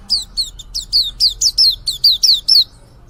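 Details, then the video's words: Young white-eye starting to sing: about a dozen sharp, high, falling chirps come in a brisk, even series, each a quick downward slur, over a faint low hum. "suara pleci muda mulai buka paruh"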